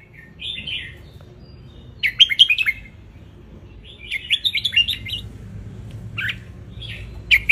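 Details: Tutor song of a wild red-whiskered bulbul in the sun in Ratchaburi, Thailand, played so young birds learn and sing along: three bubbling, warbled phrases with a few short separate notes, steady low background hum.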